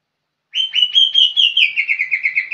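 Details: Sustained whistled phrase from a young green leafbird, first drawn-out level notes, then breaking into a quicker, slightly lower run of repeated chirps.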